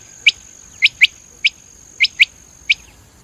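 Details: Batir or common quail giving short bright high notes, single then paired, spaced under a second apart, with a faint steady high whine behind.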